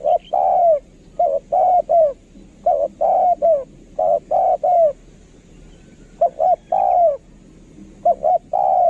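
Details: Decoy spotted dove, kept for luring wild doves, gives about five rapid cooing phrases: paired short coos then a longer, slightly falling croo, with a pause before the last two phrases.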